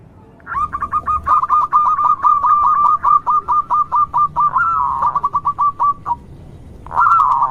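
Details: Local zebra dove, a vigorous singer, used to provoke other zebra doves into singing: a fast run of short, clipped, hooked cooing notes at about two per second, then a warbled rolling phrase, a pause, and another rolled burst.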